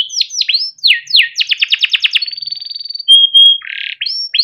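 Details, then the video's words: Yellow canary, a kept bird used as a master song for training young canaries, singing a long varied song: downward-sweeping whistled notes, a fast rapid trill, a thin steady whistle, then a buzzy note and more sweeps. "burung kenari gacor PANJANG untuk pancingan kenari paud || masteran kenari - yellow canary singing"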